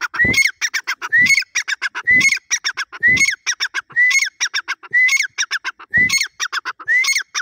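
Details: Grey francolin, locally dakhni teetar, calling loudly: a rhythmic phrase repeated about once a second, each starting with a short rising whistle followed by a rapid string of clipped, clicking notes.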